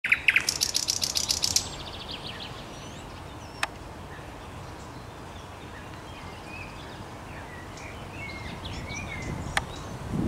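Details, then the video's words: Common nightingale recorded on 5 May 2021: a loud, rapid run of repeated high notes for under two seconds, then silence, with faint distant birds and two sharp clicks. "Słowik Rdzawy"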